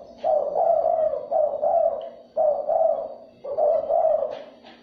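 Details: Spotted dove lure calling to stimulate other doves: three phrases of soft, rolling double coos roughly a second apart, each phrase gently wavering in pitch, over a faint low hum.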